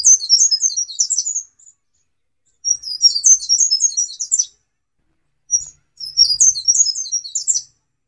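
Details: Black-capped white-eye tutor song for training songbirds: three bright, high twittering phrases of rapid tumbling chirps, each lasting one to two seconds and separated by short silences.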